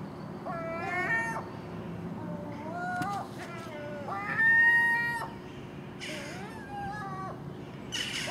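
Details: Common gull giving nasal, mewing calls, each rising then falling, about one every second or two, early in the morning at a house where magpies and crows squabble harshly over garbage set out overnight.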